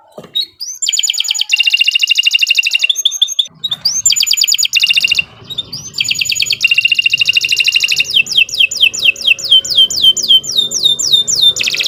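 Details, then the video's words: Energetic gacor song of a canary, used to encourage other canaries to sing: long varied phrases of buzzy high trills and rising slurs, ending in a quick run of descending notes. "Kicau Burung Kenari 148 II LUAR BIASA GACOR PANJANG Cocok untuk Masteran"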